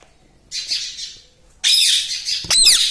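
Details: Pet rose-ringed parakeet kept at home giving harsh, noisy, high squawks in two bursts, the second longer and ending in a sharp rising screech.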